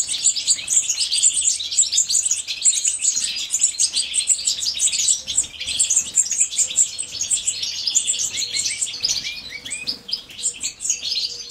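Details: Female European goldfinch feeding her chicks: dense, continuous high twittering and chirping, busy overlapping notes throughout, with a faint low hum underneath.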